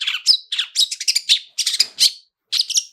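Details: Long-tailed shrike singing "toet toet" phrases with rich fill-ins as a lure for other shrikes: quick, harsh, buzzy chatters and bright whistled notes, run together in short busy bursts with one brief pause.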